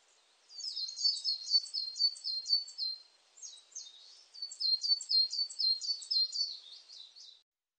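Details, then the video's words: Coal tit song recorded in 2020: high, thin double notes dropping in pitch, rattled off quickly in two long runs split by a brief pause, with no other sounds. "진박새, 여러번 듣기, 곤충소리, 새소리"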